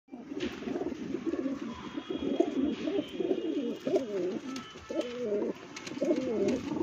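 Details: Pigeons offered for sale, cooing in low, throaty rolling phrases that overlap one another, with faint clicks and shuffling in the background.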